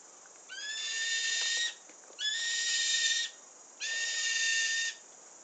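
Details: New Zealand falcon in a tree near the coast of Endeavour Inlet, Marlborough Sounds: three drawn-out, high, nasal screams, each about a second long and steady in pitch, separated by brief pauses over faint background hiss.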